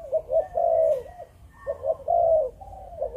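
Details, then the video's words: Malaysian breeding-strain spotted dove in the 'chụp chụp ô' style: two rich, low phrases of short pulsed coos and a long, slightly wavering note, separated by a brief pause. "Chim Cu Gáy | Chụp Chụp Ô | Cu Malaysia Sinh Sản"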